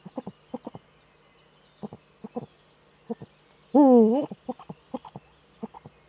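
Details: Male Eurasian eagle-owl courting in its nesting niche, filmed by a nest webcam in northern Rhineland-Palatinate, Germany, on 4 May 2013. Short, soft staccato notes in loose groups, broken near the middle by one loud, wavering, half-second cry.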